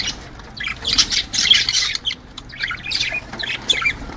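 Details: Budgerigars calling to stimulate breeding pairs to lay: rough, scratchy squawks and buzzy chatter in clustered bursts separated by quieter gaps.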